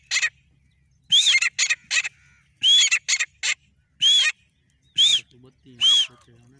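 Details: Male and female grey francolin pair giving loud, sharp arched notes in short bursts and single calls spaced about a second apart, with a low voice-like hum under the final notes.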